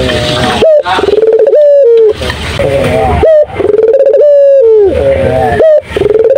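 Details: A turtle dove sings energetically, repeating loud pure coos that hold a steady pitch before bending downward, with brief rising notes between phrases and short gaps of silence.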